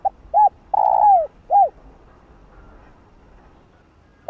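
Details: Spotted dove coo used to stir other male doves. A short note, an arched hoot, a long falling coo and another arched hoot come in quick succession, then quiet with one faint note at the end.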